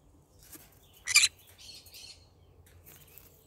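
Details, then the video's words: A pet yellow-sided green-cheeked conure in the morning gives one loud, rough screech among softer, fainter chattering notes, with a low background hum. "cute bird singing : good morning My bird singing to day Green cheek conure yellow sided"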